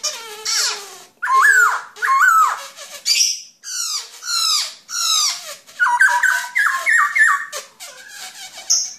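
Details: Black-throated laughingthrush (Garrulax chinensis) sings loudly: a varied run of rich whistled and slurred phrases. Some notes rise and fall, others step quickly up and down. The phrases come in bursts about once a second, with no other clear sounds.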